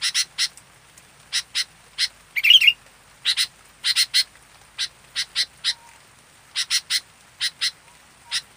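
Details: Sooty-headed bulbul, an active local kutilang: a steady run of dry, rasping notes in twos and threes, with one tumbling whistled trill in the middle of the sequence.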